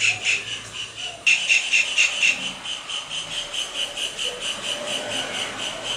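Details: Kingfisher giving its calling song while dancing: rapid, shrill repeated notes, roughly two a second, briefly softer and then louder again, over a faint background hiss.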